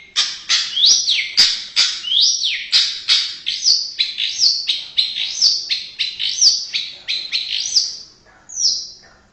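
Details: Indonesian white-rumped shama giving a dense run of sharp, rising and falling whistles with clicky attacks, steady and rapid throughout.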